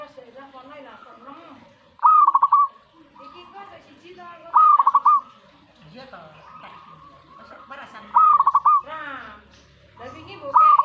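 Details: Zebra dove reacting to a master training recording, giving loud rolling phrases of rapid pulsed coos, each about half a second, repeated every two to three seconds, four in all, over a dense backdrop of other bird calls.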